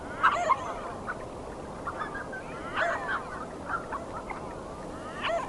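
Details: Canvasback duck giving short, hoarse, honking calls around mid pitch, irregular and spaced through the recording over a steady hiss of background noise.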